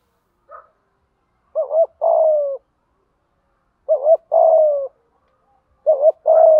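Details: Spotted dove giving the urging 'thúc gù' coo, used as a lure to train wild-caught or long-silent birds to coo: soft low hooting phrases, a short double note then a longer drawn-out coo, repeated about every two seconds.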